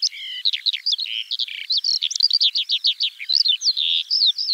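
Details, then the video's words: Spring song of the Eurasian skylark: a rapid tumbling series of short chirps and twittering notes with a few low buzzy phrases, steady and unbroken. "Kiurun / Leivon laulua | Skylark Singing"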